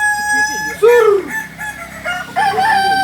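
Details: Kokok Balenggek rooster, a native chicken of Solok, West Sumatra, gives a crow of curved, harmonic-rich syllables, rising then falling, with a second phrase near the end; other faint clucks and background noise.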